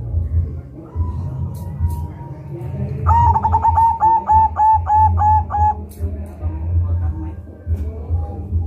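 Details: Local zebra dove in the rolling ngerol style, a song used to lure and start other doves singing: low humming, then a burst of about eight rapid rolling coos, then softer coos fading.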